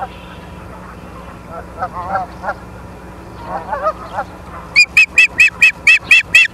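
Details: Ospreys on a live nature cam at Charlo, Montana, 9 September 2023 at 18:51: after faint, lower honking calls from other birds, a loud run of sharp, high whistled chirps repeats about every third of a second.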